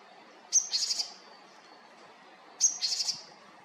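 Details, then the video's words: Japanese tit in Haenam giving two short calls, each a sharp high click followed by a quick, buzzy stuttering run of notes, about two seconds apart. "박새의 다양한 소리"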